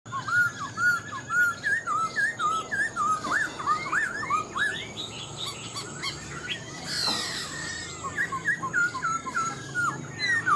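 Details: Caged wild-caught Black-throated laughingthrush, held about four months, singing in half-tamed "mộc dở" style: loud whistled, looping notes that rise and fall, repeated in quick phrases nearly two per second, with faint chatter from other birds behind.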